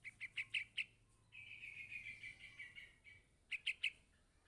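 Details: Yellow-vented bulbul chick begging from its parent: five quick sharp chirps, a long buzzy descending note lasting nearly two seconds, then three more sharp chirps.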